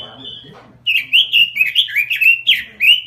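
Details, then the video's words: Robin in full gacor song opens with a soft level whistle, then bursts into rapid warbling, with bright notes sliding down and rising again in quick succession; quiet murmuring underneath. "SUARA BURUNG ROBIN GACOR"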